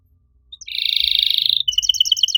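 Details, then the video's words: Canary master song, meant to prompt other canaries that have stopped singing: after a brief quiet start, a dense high buzzy trill is held for about a second, then breaks into quick, bright repeated chirping notes. "MASTERAN KENARI AMPUH BUAT MANCING KENARI LAIN YANG MACET BUNYI! - CANARY SINGING"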